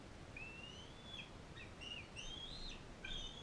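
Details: Non-releasable female bald eagle in captivity fostering a bald eaglet from Powell River; a long, thin rising whistle followed by several shorter high slurred notes, each ending in a brief downward break, over low hiss.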